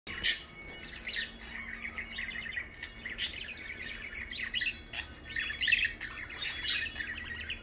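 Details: Pet blue parakeet chatters in quick, high, scratchy chirps and warbles, with a few sharper clicks, against a faint low indoor hum.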